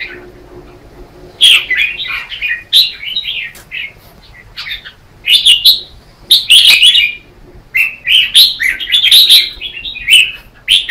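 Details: Red-whiskered bulbul in morning competitive singing practice, used to train and stimulate other bulbuls: short bright warbled phrases bursting out every second or two, with quiet pauses between and faint low background hum.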